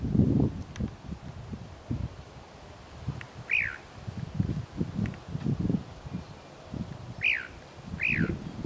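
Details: A chalk-browed mockingbird in an urban area of Presidente Prudente, São Paulo, Brazil, gives three short, arched, rising-and-falling call notes a few seconds apart over steady low rumbling and rustling.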